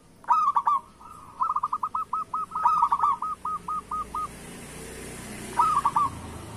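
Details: Zebra dove, local type, singing as a lure for lazy doves. A short stuttered coo leads into a long run of rapid, evenly spaced cooing notes lasting about three seconds. One more clipped phrase follows near the end.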